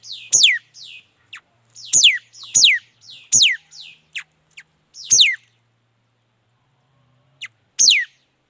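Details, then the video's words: Mi dat bird singing: loud, sharp notes sweeping steeply down from very high to mid pitch, given in clusters of two or three with short gaps and softer chips between, then a pause before a final sweep. "Tiếng chim mi đất hót chuẩn"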